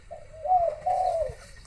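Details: Dove cooing at home around one in the afternoon, another bird calling elsewhere: a low, mellow coo phrase with two drawn-out, slightly wavering notes, the second longer, over quiet background.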